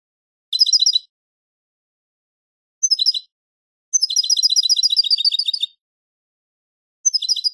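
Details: Song of a European goldfinch, with short bursts of fast, high twittering and one longer run of nearly two seconds of quick, liquid trilled notes with buzzy overtones, set between brief phrases and silent gaps.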